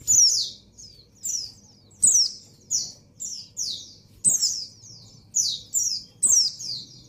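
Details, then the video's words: A breeding female white-eye calls a male: steady series of high, sharp, falling notes roughly every half second, some doubled, over faint low background hum. "Suara Burung Pleci Betina Birahi Memanggil Jantan"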